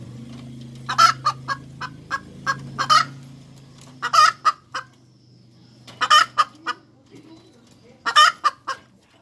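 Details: Hens cackling in loud, rhythmic bursts of harsh clucks, roughly every two seconds, over a low steady hum in the first half.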